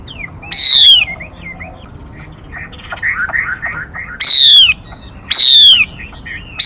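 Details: Female Mi bird decoy call for luring birds: loud, harsh, descending calls at the start and end, with a middle stretch of softer, rounded, chattering notes.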